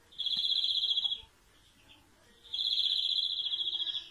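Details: Two bright, fast-pulsed trills from a European greenfinch, each about one second long, separated by a short quiet gap with a faint soft note.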